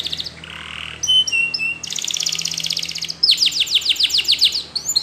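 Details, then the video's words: Belgian canary rambling song: chirps, a short burry phrase, clipped paired notes, a rolling pulsed trill, then a rapid series of descending whistled sweeps. "The Best Belgian Canary Ramblings !! Your Canary Won't Stop Singing"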